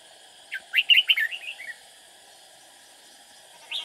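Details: Red-whiskered bulbul singing as a trapping decoy to attract rivals: a lively burst of sharp, rising, liquid notes that trails off into softer chatter, and a single clear note near the end.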